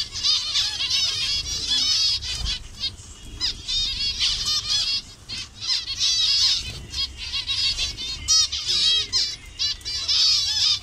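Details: Zebra finches of assorted colour variations calling together in a Bangladeshi aviary colony; a steady chatter of short nasal beeps and buzzy notes from many birds, with some wing flutter and faint low rumble.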